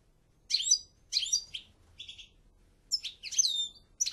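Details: European goldfinch: short, separated bursts of liquid chirps and twitters, a few notes each, in a quiet setting.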